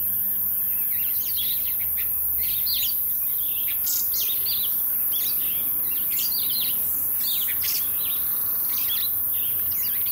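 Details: Jameson's firefinch, a rare visitor to a suburban garden in Pretoria, South Africa: bursts of high, thin chirps and short twittering notes, clustered and irregular throughout, with steady background hiss and a faint low hum.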